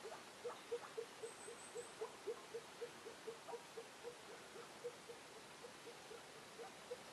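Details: A female Elliot's pheasant arriving gives a soft run of low, clucking notes, about four per second and fairly even in pitch; a brief thin high whine is heard early on.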